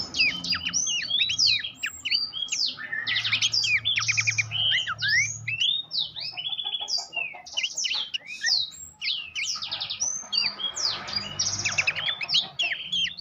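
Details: Horsfield's babbler master song meant to train contest songbirds: dense, loud, non-stop chatter of buzzy trills, sharp chips and swooping whistles packed closely together for the whole stretch.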